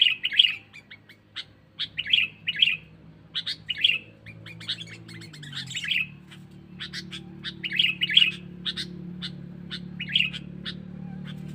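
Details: Sooty-headed bulbul calling as a lure for wild birds: short, bright chirped phrases repeated roughly every second, with quieter clicks between them and a steady low hum behind.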